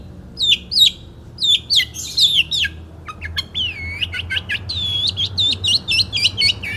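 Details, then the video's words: Long-tailed Shrike, a caged 2016 national champion singing in the 'satu titik' style, pours out sharp downslurred whistles, then rising and falling swooping notes mixed with quick clicks and chips. "KICAU BURUNG CENDET JAWARA NASIONAL GAYA SATU TITIK 2016"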